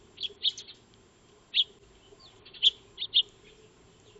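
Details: Eurasian tree sparrows (maya birds) feeding in a backyard, caught on a solar-powered wildlife camera; sparse, separate loud chirps, singly or in pairs, roughly once a second.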